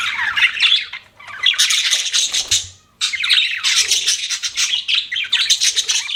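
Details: Pet budgies chirping in two long busy spells of scratchy, warbling chatter separated by a short silence, many rapid squawky notes overlapping.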